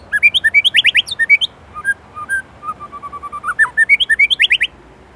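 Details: A white-rumped shama in Indonesia delivers a varied song: fast rattling trills of bright notes, a run of low even whistles, then another rapid trill.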